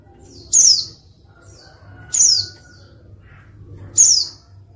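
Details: A female white-eye calls to coax reluctant males into singing as in the wild: three high, sharp downward-sweeping chirps about every 1.7 seconds, soft thin whistles between them, low background hum.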